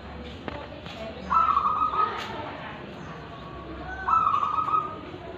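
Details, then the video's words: A local wild-type zebra dove from Tulungagung, a frequent singer with a deep, crystal-clear voice, gives two rapid, rolling cooing phrases, each about a second long and steady in pitch, roughly three seconds apart over low hiss. "GACORAN Perkutut Lokal Alam Dengan Suara Ulem dan Kristal"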